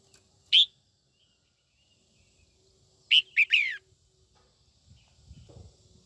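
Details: Female red-whiskered bulbul singing to provoke young males: a single sharp chirp, then a quick three-note phrase ending in a falling slur; soft low thumps follow near the end.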